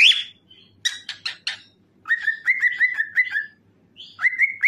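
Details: Cockatiel song used to set other cockatiels singing: an opening squawk, then buzzy chirps and a rapid series of short repeated whistles, ending in rising whistled notes.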